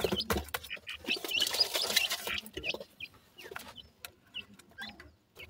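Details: Young francolins after feeding give short, high chirps, thin rising and falling peeps repeated irregularly, over a dense burst of scuffling noise early on that fades to quieter, sparser calls.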